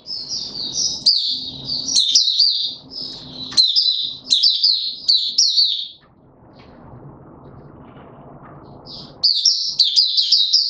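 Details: High, rapid, chattering warbles from a caged male white-eye being trained into form, recorded 31 December 2021, in several bursts, then a three-second lull of rustling noise before singing resumes.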